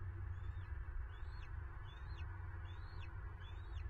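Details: Bald eagles at a Florida nest, filmed by a nest cam on 9 March 2023 while a female seizes prey. Five faint, high, squeaky chirps come roughly once a second, partly buried under loud rumbling wind.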